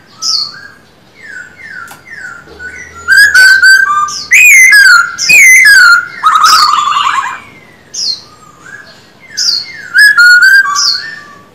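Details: Male black-throated laughingthrush in a cage, in daily song training: soft rising whistles open, then loud harsh chattering bursts and ringing slurred whistles, with quieter whistled phrases between.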